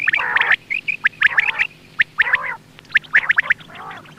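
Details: Dense morning quail calling: rough, buzzy bursts about once a second, mixed with sharp high chips and brief squeaky notes.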